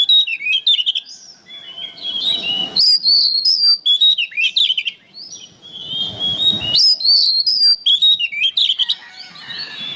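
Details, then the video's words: Oriental magpie-robin (kacer) singing vigorously as a training recording for songbirds: bursts of varied, sweet whistled phrases with rapid trills and slurred notes, separated by short pauses, with a faint low rumble behind. "MASTERAN BURUNG KACER GACOR"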